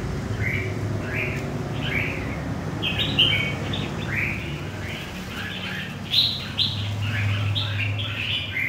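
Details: Red-whiskered bulbul, a wild-caught bird from central Vietnam, singing a run of bright whistled notes that grow denser and faster toward the end, with a low background drone throughout.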